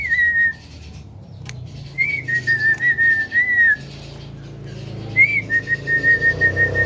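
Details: Male Javan myna said to be able to talk, whistling steady clear notes in pulsed bursts, three separate phrases with short gaps, over low room noise.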